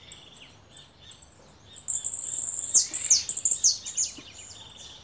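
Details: Goldfinch kept as a caller bird, uttering a burst of high tinkling notes: drawn-out bright tones mixed with fast descending chirps, roughly three per second at the peak, then fading to softer twitters.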